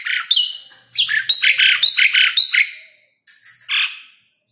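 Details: Asian pied starling song played to prompt caged starlings to sing and to attract wild birds: rapid run of raspy, squeaky chattering notes with high whistles, followed by a pause and a lower harsh note.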